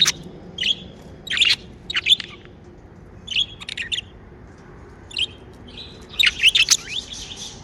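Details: Pet budgerigars chirping happily; short bursts of bright, warbling chirps and squeaky notes come in clusters with brief pauses, ending in a longer chattering run.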